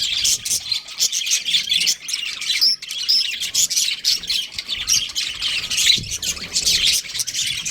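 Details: Budgerigar breeding pair keeping up a rolling, scratchy chatter with occasional sharp whistles, the bursts swelling and fading every second or so.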